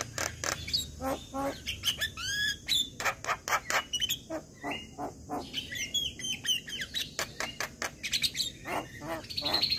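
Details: Morning song of a Javan myna, a long, busy stream of harsh clicks, rasps and short whistled sweeps rising and falling, delivered in quick irregular bursts with brief pauses between phrases.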